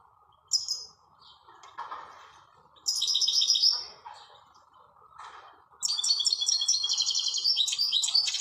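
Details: European goldfinch singing outdoors in nature: high, bright twittering phrases with fast tinkling, buzzy trills, building into a long continuous jangling run, over a steady mid-pitched background hiss.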